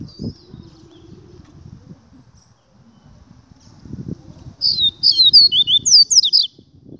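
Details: Double-collared seedeater song near the end, a rapid string of high, clipped whistles with downward slurs, after several seconds of low murmuring background noise.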